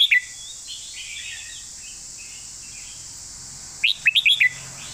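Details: Red-whiskered bulbul in master-style song: a short whistled phrase at the start, long quiet gap with soft warbling, then a lively run of five or six clear, bouncing notes, with a continuous high hiss throughout.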